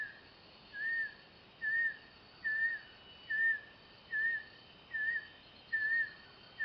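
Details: Female banded kingfisher at Sedim, Kedah, giving a steady series of clear, slightly slurred whistles, about one every second, each at the same pitch, over a soft forest hiss.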